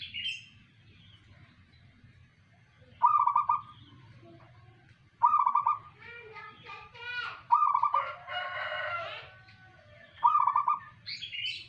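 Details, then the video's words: Local zebra dove singing: four short beaded cooing phrases, each a rapid bubbling pulse about half a second long, spaced two to three seconds apart, with louder harmonic calls from another bird in between. "perkutut manggung tiada tanding"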